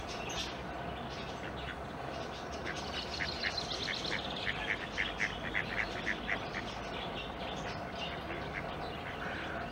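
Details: Eurasian coot chicks, some in the nest and tended by their parents at Schützenweiher pond in Winterthur, giving thin high peeps in quick uneven series, loudest mid-way, over a steady low rumbling background.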